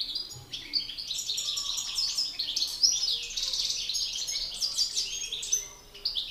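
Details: A master European goldfinch faces an excited rival in a male singing battle; continuous high twittering and tinkling notes, rapid and jumbled, with occasional sharper chirps.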